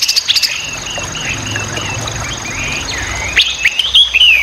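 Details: Chinese hwamei singing amid a steady background hiss: soft warbled whistles for most of the stretch, then louder rising and falling notes toward the end.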